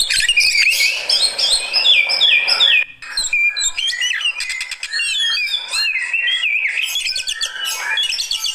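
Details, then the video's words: Oriental magpie-robin reacting to another bird as a fighter, pouring out fast varied whistles, down-slurred notes and twittering phrases, with a brief pause near the middle before the busy high song resumes. "Reaksi Burung Kacer Fighter"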